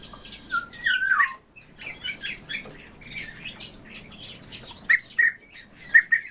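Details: Two kept orioles calling together in a duet: fluty whistled notes near the start and again toward the end, with scattered short chirps and squawky notes between.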